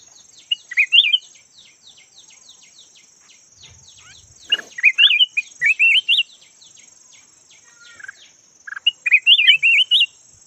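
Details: Decoy red-whiskered bulbul, yellow type, singing three clusters of bright, bubbling, looping notes separated by pauses, with a dense ticking insect chorus and a steady high hum behind.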